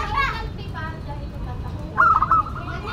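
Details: Local zebra dove in active song, voice described as classic and unique. A single loud, quick trilled coo phrase comes near the end, after softer twittering from other birds.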